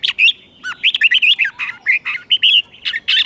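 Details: Red-whiskered bulbul giving the doubled Thai competition-style song used to train young birds: quick slurred whistles and chirps, mid-pitched and bubbly, packed into short back-to-back notes with brief gaps.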